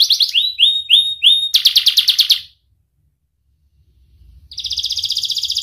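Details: Young canary song used as a training lure for juvenile and lazy canaries: rapid trills of repeated rising whistled notes, then a dense buzzy roll, a short pause and another fast high trill.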